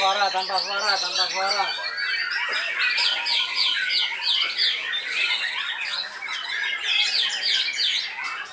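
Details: Four-year-old white-rumped shama from Lampung opening with a low, fast rattling series, then bursting into loud, busy phrases of sharp whistles and harsh chatter, overlapping with other singing birds.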